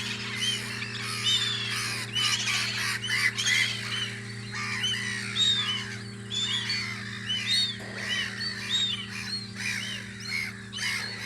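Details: Seagulls at their guarding post on Audru polder in spring, a dense chorus of arched, harmonic yelping calls from many birds overlapping without pause, set against a steady low hum.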